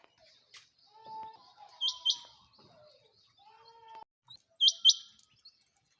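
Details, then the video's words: Female quail heard faintly giving two high doubled chirps a few seconds apart, among soft, lower steady whistled tones from other sources. "Female quail sound | Madi batairy ki awaz | mada batair kirak |Chinga batair ki awaz"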